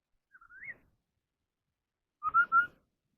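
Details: Chinese hwamei ('họa mi đất') singing in contest style: a soft, wavering whistle that rises at the end, then after a gap three strong, steady whistled notes spaced evenly. The setting is silent.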